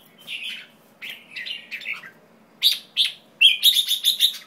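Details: White-tailed jambul calling with a string of scratchy, descending chattering notes, then clipped sharp chirps and a fast run of five or six rapid, nasal, ringing notes at the end.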